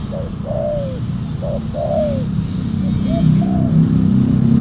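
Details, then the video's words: Spotted dove cooing while being lured with a silver decoy dove with a black collar: short notes each followed by a longer falling coo, repeated twice, then softer coos as low engine-like rumble grows. "PIKAT TEKUKUR SILVER💥 KETEMU BL HITAM, 🔥 POIN KE 2 ,KUK 1 SUARA BESAR"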